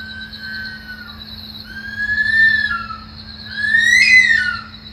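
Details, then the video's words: Bush stone-curlew screaming in the early morning in Australia: drawn-out eerie wails rising to a loud, harmonic-rich cry near the end, over a steady pulsing insect chorus and a low hum. "The Bird that Sounds like a Woman Screaming-Curlew Call- Burhinus grallarius"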